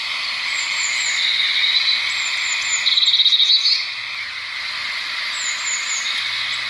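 Blue tit song: thin, very high whistled notes, then a quick silvery trill, over a steady high background hiss.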